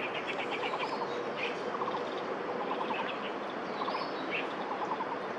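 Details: Young Eurasian magpies, a group of at least four, playing and foraging on grass at Daan Forest Park, 10 May 2022, chasing parents that arrive; short bursts of stuttering chatter with thin rising squeaks over steady hiss.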